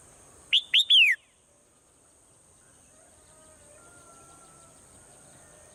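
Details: Morning song of a swallow: one quick three-note whistled phrase, two short upslurred notes then a drawn-out falling note, followed by quiet and a clipped note at the end, with a constant thin high hiss behind.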